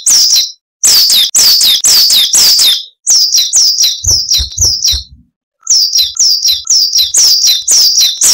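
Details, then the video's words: Coal tit song used to train cage birds: steady repeated high two-note phrases, each note dropping in pitch, about two per second, in runs broken by brief pauses, with faint low thumps in the middle. "Masteran Burung Gelatik Wucit Panjang Ngalas - Coal Tit"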